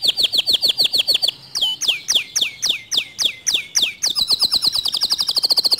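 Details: Canary song said to provoke other canaries into singing: fast runs of high downslurred whistled notes, then slower drooping sweeps, then a rapid even trill. About three to four notes per second in the slower sections.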